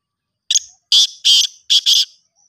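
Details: Black francolin, locally kala teetar, giving a harsh grating call: one short note, then four loud rasping broadband bursts in two pairs over about a second and a half, with no other sound.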